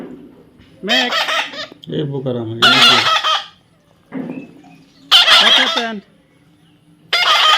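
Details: A parrot named Max talks in strained, word-like phrases, five or six bursts over about seven seconds with short pauses between, in a raspy, high-pitched voice.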